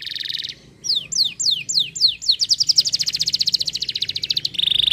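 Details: Canary singing: a buzzy rolled note, a pause, then a run of falling sweeps that speed up into a long, fast, pulsing trill, ending on another buzzy roll.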